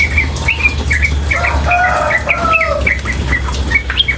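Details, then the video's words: Female yellow-vented bulbul giving rapid nonstop ropel chatter with water in the background: a string of short bright chirps and slurred notes, plus a few softer lower whistles midway, over a steady low water rush. "Trucukan Gacor BETINA Masteran trucukan betina dan suara air"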